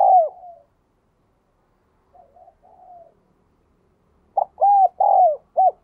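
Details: Spotted dove in the 'đồng kim' singing style, meant to stimulate freshly caught doves: a fading falling coo, soft faint partial notes, then a full clear phrase of four hooting coos near the end.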